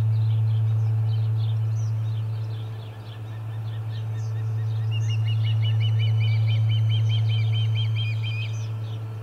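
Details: During fish-delivery commotion at the Charlo Osprey nest, 30 July 2020, soft scattered bird notes give way to a sustained fast series of bright whistled Osprey chirps, over a persistent low hum.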